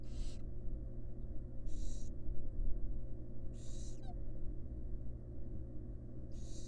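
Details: Female barn owl feeding her fledglings in a wild nest box: four rasping, noisy hisses of about half a second, repeated at uneven intervals of one to two seconds, with a constant low electrical hum beneath.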